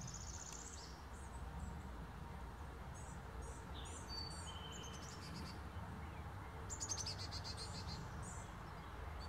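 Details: Adult male Brown-headed Cowbird, newly arrived in the area, gives thin, very high whistled notes. Short buzzy bursts from other birds sound alongside, over a steady low rumble of background noise.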